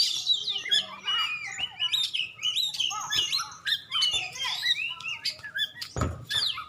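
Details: Champion Oriental magpie-robin, black-and-white form, from Aceh, singing softer high chirps, short whistles and twittered phrases with small gaps between bursts, plus a thud near the end.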